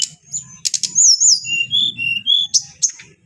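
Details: Adult brown-chested jungle flycatcher, a kept bird with a clear voice: high wavering whistles that drop into a lower sweet warbled phrase, framed by short sharp chirps, with a faint low rumble beneath.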